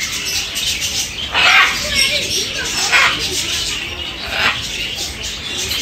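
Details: A red-and-green macaw (Ara chloropterus), which screams loudly since it cannot talk, gives three harsh, raspy screams about a second and a half apart, with a person talking in the background.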